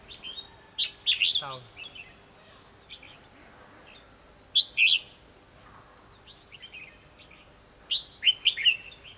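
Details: Red-whiskered bulbul singing a fighting song while being trapped with a decoy, 24 December 2015: three separate bursts of quick whistled, warbling phrases several seconds apart, with faint chirps between them.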